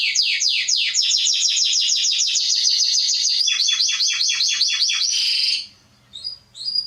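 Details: Canary song used to teach young birds, a rapid run of sharp repeated swept notes, around three to four per second, merging into a buzzy trill that ends abruptly, followed by faint notes.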